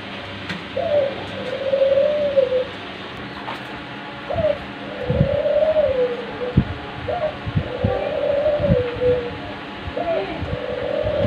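A diamond dove gives soft, mellow coos, each a short rising note and then a longer wavering one, about every three seconds, with faint indoor knocks.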